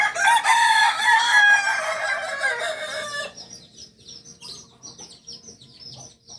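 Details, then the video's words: Native Solok singing chicken, Kukuak Balenggek breed, kept on a farm in Solok city: a three-second crow sliding gradually downward in pitch, then quiet with small birds twittering high in the background. "Ayam kukuak balenggek ayam penyanyi asli solok"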